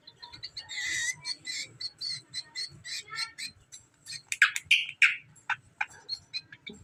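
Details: Hand-raised greater green leafbird giving a series of short, bright chips and buzzy notes, then loud, sharp whistles near the end, with some quick twittering in between.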